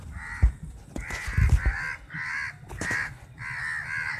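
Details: Crows in a large flock squabbling over a chapati; loud harsh caws in bursts about every second, with thumps and scuffling below.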